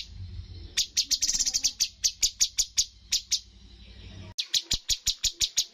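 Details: Bulbul called cucak cungkok, singing in a competition with top-scoring 'tembakan' phrases: a quick flurry of piercing chirps, then steady repeated sharp notes, a brief break, and a fresh series of bright clicks.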